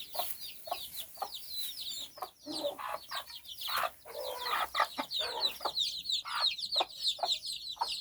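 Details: Hen walking with her nine chicks in Bizkaia, Basque Country, the chicks out exploring: dense, high, thin peeps slurring downward, overlapping constantly, with lower soft clucks from the hen pulsing beneath.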